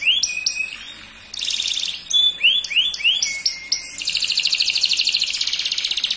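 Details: Dark male canary in song, switching between whistled downslurred notes, short sharp chips and a long buzzy rattling trill that pulses rapidly to the end.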